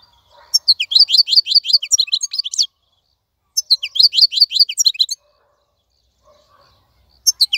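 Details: Wild-caught European goldfinch kept in a cage, singing in a clean voice: two fast, bright twittering phrases of rapid high chirps, each about two seconds long and separated by a silent pause, with a third phrase starting at the end.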